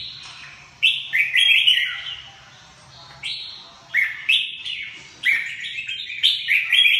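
Red-whiskered bulbul singing three bright, warbled phrases of rolling whistled notes, each lasting about a second and a half, separated by brief pauses.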